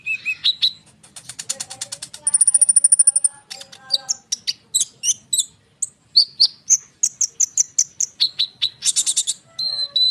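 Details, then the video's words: Konin bird's rapid rolling song used to provoke responses from other birds: a buzzy trill, a long high rattle, then a quick sequence of sharp chirps and whistled notes. "konin gacor ngerol suara rapat untuk pancingan kolibri"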